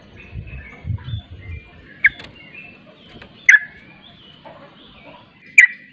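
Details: Sooty-headed bulbul giving ropel-style song, with another bulbul joining in. Three short, loud, harsh bursts around the middle pitch, spaced about 1.5 to 2 seconds apart, over faint whistles and low rumbling background noise.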